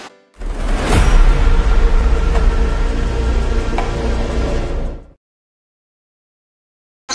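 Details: A loud, low, rumbling wash of music-like noise fills the first five seconds, then silence; no animal calls stand out.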